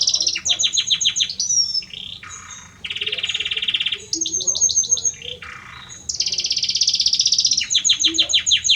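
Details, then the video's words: Belgian canary male in varied song for his female: fast descending chirps, a deep rattling roll, high thin trills, lower buzzes, then a bright sustained roll and repeated falling notes. "Canta muito este Canário Belga para sua Fêmea - Canary Singing"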